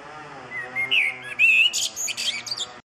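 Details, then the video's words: Common blackbird on Crete, calling back and forth with others of its kind, sings a short, mellow fluted warble of a few clear whistles, ending in a squeaky, higher twittering flourish. "Черный дрозд - поёт"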